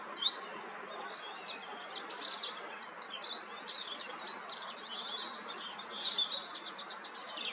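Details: A Eurasian wren pours out a loud, very high, rapid territorial song of sharp notes and fast trills, continuous for several seconds over a faint background hiss.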